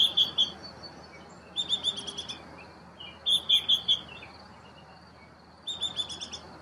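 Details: As Baltimore oriole chicks leave the nest, bright chirping notes come in short rapid runs of three to five, separated by gaps of about a second, with faint steady hiss behind.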